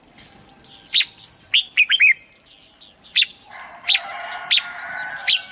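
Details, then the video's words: Red-whiskered bulbul song for getting birds excited to sing: short sharp phrases set among a busy, loud background of many high twittering birds. "เสียงนกกรงหัวจุก สำหรับต่อ หรือ เปิดให้นกคึก เสียงเพราะๆ"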